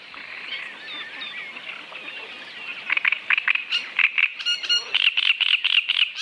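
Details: Great Reed Warbler (Acrocephalus arundinaceus) song: harsh, grating, croaking notes repeated in quick bursts, loudest in the second half, over a busy chorus of other small birds.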